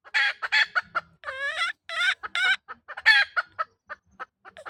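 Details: Chicken hen calling with dense clucks mixed with longer nasal, tonal squawks that rise and fall, repeated without pause for nearly five seconds.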